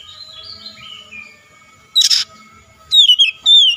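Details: Oriental magpie-robin singing, played as a lure to make a rival start singing; soft falling whistles at first, then a harsh burst and bright, clear whistled phrases with slides, quiet background hum.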